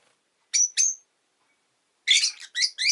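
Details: Rosy-faced lovebird (Agapornis roseicollis) chirping: two short, bright, sharp chirps, a pause, then a burst of harsh, rasping, buzzy chirps followed by two more clipped notes, all high-pitched and loud.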